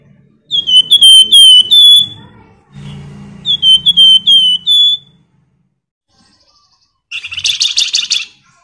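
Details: Flamboyan song used to coax other birds into singing: two phrases of bright, downslurred whistles, then after a silent pause a short, harsh buzzing trill.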